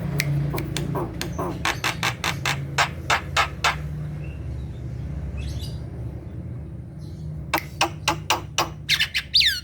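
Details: Kept black-winged myna in full song, meant to spur sluggish birds to sing: bursts of rapid, harsh clicking notes repeated several per second, a quieter pause with faint chirps, then more clicks ending in a high whistle.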